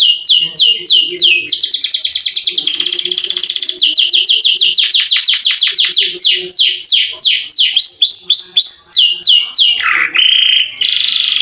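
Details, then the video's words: Canary in full long rolling song, used to lure quiet canaries into singing: loud rapid series of rising-falling whistled notes, about three per second, shifting into fast trills and ending on lower buzzy notes. "KENARI GACOR NGEROL PANJANG COCOK UNTUK PANCINGAN BUNYI BURUNG KENARI YANG MALAS BUNYI!!!"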